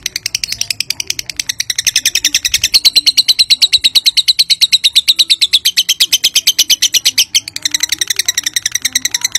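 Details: Lovebird giving a long ngekek trill, used as a lure to provoke other lovebirds to answer: a fast, steady train of high, sharp chirps lasting over nine seconds, briefly pausing near the end before resuming.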